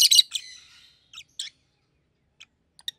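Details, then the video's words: Two pet rosy-faced lovebirds, a yellow one and a green one with red heads. A loud harsh screech opens, trailing into a fading buzzy tone, followed by a few short, sharp chirps spaced apart. "Lovebird's Sounds - Lemon & Melon - Rosy-faced Lovebird"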